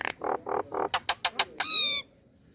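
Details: Nias hill myna female calling a male, relaxed delivery: several low nasal croaking notes, a few sharp clicks, then a drawn-out, clear, slightly falling whistle before silence.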